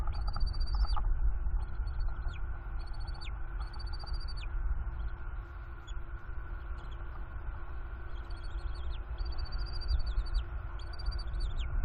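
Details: Young bald eagle chittering at its father from the nest on a windy April day in Northeast Florida, nest camera: a series of short high, thin whistled calls in bursts, some sliding down at the end, over steady wind roar.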